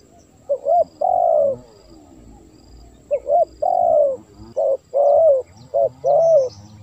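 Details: Lure recording of spotted dove calls for attracting wild birds: repeated phrases of short clipped notes and drawn-out falling coos, several rounds in quick succession over a faint low hum.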